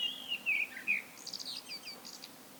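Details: Common blackbird solo song: a few low fluty whistled notes followed by a fast, thin, high-pitched twittering flourish that fades out.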